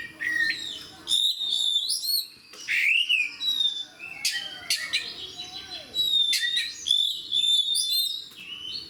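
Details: A fighter oriental magpie-robin's energetic song: loud whistled phrases, scratchy chatter and sliding notes in bursts of one to two seconds, with short gaps between them.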